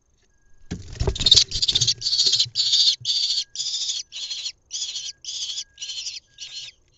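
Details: A lesser kestrel nestling in a nest box in Israel is fed twice very fast on 1 June 2021. It gives harsh, raspy hissing calls, about two per second, with some rustling and bumping at the start.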